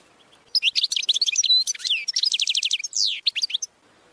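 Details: Goldfinch training song: a rapid, continuous run of twittering, tinkling notes with quick liquid trills and a few downslurred whistles, lasting about three seconds, high-pitched and clean against a quiet background.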